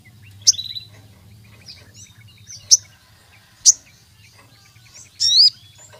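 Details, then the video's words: Sooty-headed bulbul song meant to challenge rivals and spark other birds into singing: sharp, high chirps spaced about a second apart with soft twittering between, ending in a brief wavering whistled phrase, low hum beneath. "Sogon Gacor MEMANGGIL LAWAN, suara burung sogon untuk pancingan masteran sogon manapun jadi gacor"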